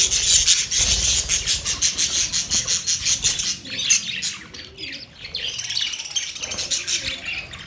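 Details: Budgerigars making what is described as a mating sound: dense, fast high chirping and warbling, pulsing several times a second for the first half, then looser scratchy chatter with faint low rumble beneath.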